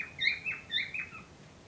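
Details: Cockatiel pair reported ready to breed: a few slurred, wavering chirps in quick succession, fading out at the end.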